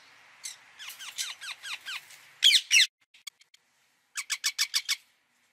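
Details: Ringneck parakeet calling: a run of high, thin, downward-sliding squeaks, then two loud harsh shrieks, a few faint ticks, and a fast burst of six sharp, shrill notes.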